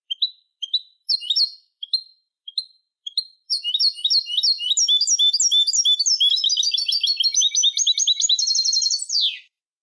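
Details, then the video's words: European goldfinch song used to train young goldfinches: several spaced sharp call notes, then a six-second fast, liquid twittering run that speeds into trills and ends with a buzzy downward slur; no other sounds. "الشريط الملكي لتسميع فراخ الحسون 2020 - Goldfinch Song - Jilguero Canto"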